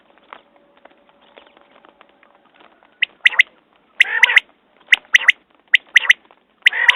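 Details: Quail calling: after three quiet seconds of faint scratchy noise, sharp clipped whistled notes arrive in quick groups, mixed with harsh rasping bursts, repeated roughly once a second.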